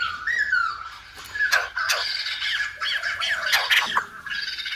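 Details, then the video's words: Silver-headed babbler's song, said to sound like a Lumba dancer: loud, harsh and squawky warbled phrases mixed with rich, varied notes, interrupted by several abrupt broadband clatters. "Khướu Đầu Bạc / Silver -headed Babbler / Singibg like aLumba Dancer"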